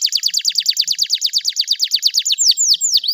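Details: Canary song meant to coax a stressed canary that has stopped singing; a rapid, even trill of sharp downslurred notes, then a few slower sweeping whistles.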